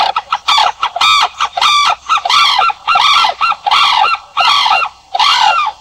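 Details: Sarus crane calling loudly: a steady run of bugling, arched trumpet notes, each roughly half a second long with short gaps, rich and ringing throughout.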